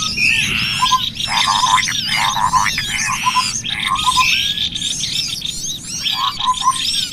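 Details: Trapping lure of cucak kopi with small birds: overlapping high chirps and whistles over repeated short trilled chatters, roughly once a second, from a busy flock of callers.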